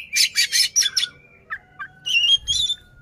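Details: Oriental magpie-robin in tail-fanned display song meant to anger a rival: five loud rasping buzzes, a couple of lower clipped notes, then harsh chattering bursts.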